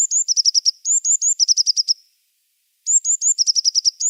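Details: Tit calling: high thin notes, each a short upslurred whistle followed by a rapid series of buzzy chirps, repeated in bursts with a silent pause near two seconds.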